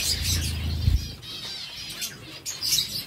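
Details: While eating seeds, zebra finches keep up quick nasal beeps with buzzy, layered tones, several birds calling at once, a low thud near the start and a steady background hum.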